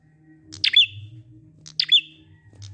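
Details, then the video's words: Prinia in ngalun song, aimed at drawing silent prinias into singing: two bright descending chirps with thin tails, about a second apart, over low hum. "Prenjak ngalun ampuh 100% buat prenjak macet agar ikut bunyi"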